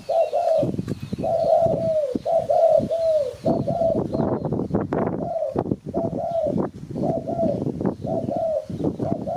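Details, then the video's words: Spotted dove call, used as a lure for catching birds: mellow, low coos in short paired notes, each slightly falling, repeated steadily throughout, interrupted by loud rustling and clattering noises close by. "Sound Spotted Dove Malay"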